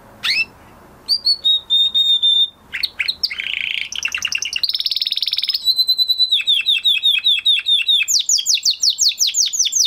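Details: Canary after moulting, singing loudly: one sharp note, then a held whistle, a buzzy rattling passage and a harsh burst. A long series of rapid descending chirps, repeated several times a second, fills the last half.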